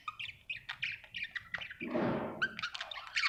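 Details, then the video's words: A happy budgie gives quick squeaky chirps and warbles, interrupted midway by a brief rushing, hissing noise before the chirping resumes. "Happy budgie chirping sound"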